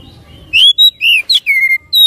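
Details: Song of an oriental magpie-robin, played to stimulate another bird to sing. Bright whistled phrases rise and fall, mixed with a sharp chirp and a long level whistle, delivered quickly against quiet low rumble.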